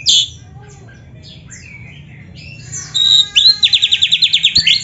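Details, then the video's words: Kacer song for training, full of isian: a few scattered whistles and slurs, a quiet pause, then a loud, rapid trill of repeated chirping notes with sharp slurred whistles at the end. "MASTERAN KACER GACOR ISIAN MEWAH !! - Suara Burung Kacer yang cocok untuk Latihan"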